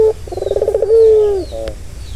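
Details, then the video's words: A single ringneck dove coo for soothing a stressed bird: a brief low note, a rapid pulsing roll, then a smooth, slowly falling drawn-out tone. "Suara santai yang bisa mengobati burung puter yang lagi stres"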